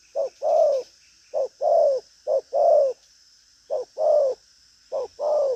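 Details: Lively spotted dove gives five pairs of coos: a short low note, then a fuller, longer, falling coo, with short pauses between the pairs.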